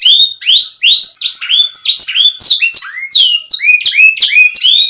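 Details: Fast warbling canary song made as a tutor recording for young birds, with quick upward and downward whistled slurs repeated in bursts, bright and high.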